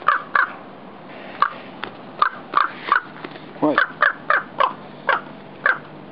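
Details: Nesting raven scolding someone approaching across the roof: loud rasping caws, some doubled, spaced irregularly at under a second apart over faint background noise.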